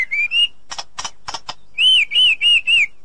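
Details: ['Female white-rumped shama calling the male in the forest. Two rising whistles come first, then four rasping notes, then four loud, clear, arched whistles repeated evenly.']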